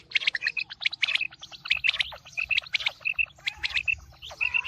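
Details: Quail calling ahead of the coming wheat season: dense, rapid chirping notes, sharp and high, some with a clear ringing tone, tumbling irregularly over one another like several birds at once.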